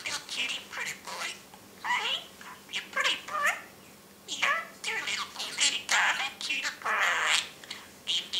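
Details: Parrot talking in its cage, giving a steady run of chattering, speech-like syllables with rising and falling inflections, grouped in short bursts separated by brief gaps.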